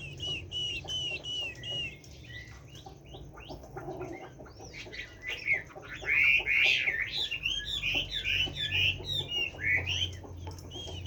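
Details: Caged Chinese hwamei in forest-style song: a few clear whistled phrases, a brief lull, then a louder, fast, varied run of warbled and looping notes, over low background hum.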